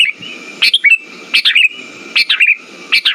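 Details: Song of the Sooty-headed bulbul played to lure silent birds, with four quick bubbly whistled phrases spaced evenly, each a burst of rising and dropping notes, over a constant high faint tone and low hissing background.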